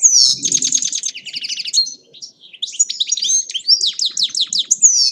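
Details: European goldfinch singing in Agrinio, Greece: rapid, tinkling twitters and buzzy trilled phrases, high and dense, with a brief pause near the two-second mark before the liquid twittering resumes with fast repeated notes.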